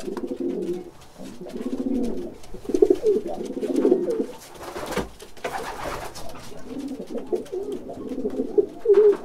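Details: A caged pigeon coos in low, throaty, rolling phrases about a second long, repeated with short gaps, in a small echoing indoor space; bursts of wing flaps occur in the recording.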